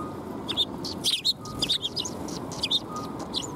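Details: Sparrows gathering at a shrine to be fed, recorded 12 February 2021; short high chirps come in scattered bursts, some overlapping, over a steady low background rumble.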